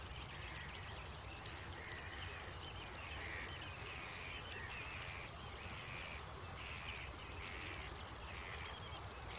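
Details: Steady high-pitched reeling of a grasshopper warbler, recorded at RSPB Middleton on 17 May 2021, a long dry trill of fast even clicks, with another bird's short repeated warbling phrases softly behind it.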